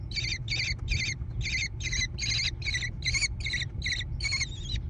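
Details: Growing American kestrel chicks in a gravel-bottomed nest box on a barn overlooking rolling meadows near Prairie du Chien, Wisconsin, USA, 14 June 2022, nest cam: a rapid run of about twelve harsh, rasping screeches with a constant low hum.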